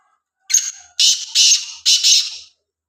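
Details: Near Khushab, a black francolin utters a quick series of four harsh, buzzing, grating notes, close and loud, each slightly drawn out, against a quiet background.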